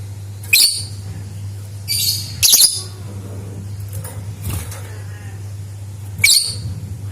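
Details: Lovebird chirps meant to prompt other lovebirds into song: brief shrill, gritty bursts, one double burst near the middle, spaced a second or more apart, with a steady low hum beneath.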